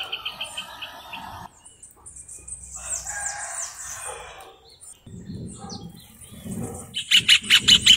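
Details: Rufous hornero singing: a series of sharp, evenly repeated notes opens the recording, then a loud, fast burst of about six strident notes closes it, with scattered high chirps and low rumbling background noise in between.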